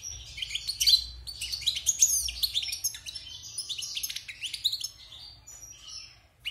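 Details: Wild European goldfinch kept in a cage six months after moulting sings a dense, continuous tinkling warble of quick liquid twitters, buzzy slurs and high sharp notes, delivered in fast bursts without pause; faint low hum behind.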